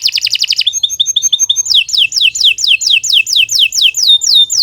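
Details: Canary singing a long, continuous song meant as a tutor recording for other birds: a fast trilled roll, then a run of quick buzzy notes, then a series of sharply descending whistled sweeps repeated about four times a second.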